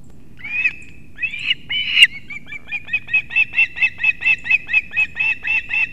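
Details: At a Kurzeme osprey nest in Latvia, early morning of 3 September 2024, the male delivers two fish to the young. A few drawn-out whistled cries, then a steady, evenly spaced series of short piping chirps, over a low rumble.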